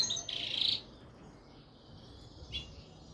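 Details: A European goldfinch of the subspecies Carduelis carduelis frigoris gives a quick burst of high, tinkling twitters lasting about half a second, then one faint chirp near the end against quiet background hiss.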